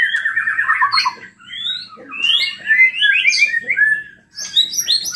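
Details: Energetic white-rumped shama song for provoking other shamas to sing: a quick trilled opening, then rising whistled notes and rich tumbling warbles climbing ever higher, with brief pauses between phrases.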